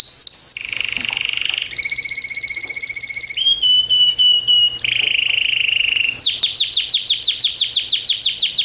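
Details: Pet canary with a varied song: a high whistle, then a buzzy trill, then a fast pulsed trill higher up. A clear level whistle follows, then another buzzy trill, ending in quick repeated downslurred notes.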